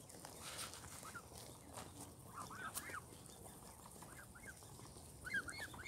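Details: Young, grown-up Canada goose goslings at Longton Park, Stoke on Trent, on 20 June 2022. Faint, arched, whistled peeps come in short bursts against a steady background hiss.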